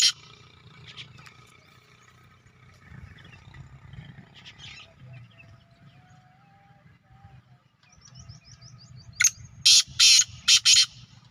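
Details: Evening in a village, with quiet rural background and faint distant sounds. Near the end a black francolin bursts into a loud, harsh, rasping call of four to five grating notes in quick succession.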